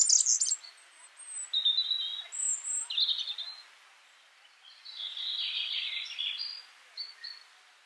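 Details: Yellow-fronted canary singing in the wild, heard more distantly: scattered short whistled notes and buzzy phrases at varying pitches with gaps between them, over a faint background hiss.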